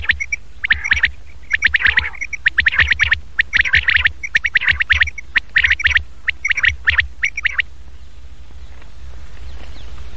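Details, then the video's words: Quail calls for luring Chinga and fighting quails into capture, playable at night too: bursts of three to five sharp, clipped notes repeated roughly every second, followed by a quieter stretch with faint background hiss. "چنگا بٹیر اور پکے بٹیر کو بلانے والی اواز"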